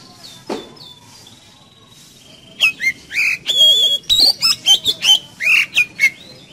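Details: Energetic whistling of an Oriental magpie-robin, played to prompt a kept magpie-robin to sing: after a quiet opening with a few thin high notes, a rapid run of loud, varied whistled and chirped phrases, about two notes per second.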